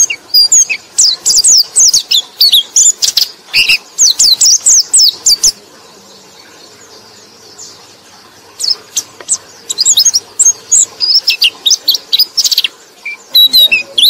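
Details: Lure song of a white-eye aimed at other white-eyes: rapid high chirping and warbling bursts for several seconds, a quiet pause of about three seconds, then the busy twittering resumes.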